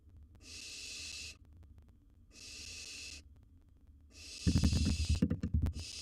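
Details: Baby barn owl in a wild nest box with a gerbil; three to four long raspy hisses, the last overlapping a loud bout of thumping and scrabbling.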